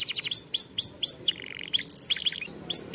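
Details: Canary song, champion style, meant to train young canaries: high curved whistled notes in quick series, then a short buzzy trill and more clipped, rising-falling syllables.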